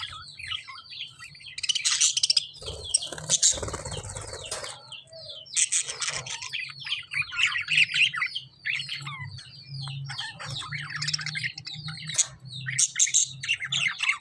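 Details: A flock of lovebirds in full chorus: dense, harsh, high chirps and squawky chatter, loud bursts rising and falling, over a steady low hum.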